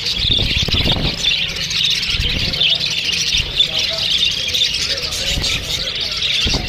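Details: Many small Australian parrots chirp to each other in a steady, high, twittering chorus, with a few low thumps and faint background voices.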